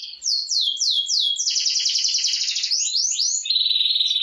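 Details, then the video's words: Canary singing vigorously in the 'gacor' style: a few sweeping slurred notes open into a rapid rolling trill, then a steady buzzy rattle. "Burung Kenari Burung Kicau Gacor"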